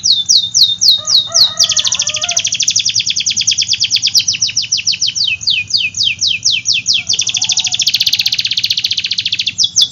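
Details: Canary delivering a long, rapid song: high buzzy trills and fast falling whistles run together at about four notes per second, with faint soft chatter underneath.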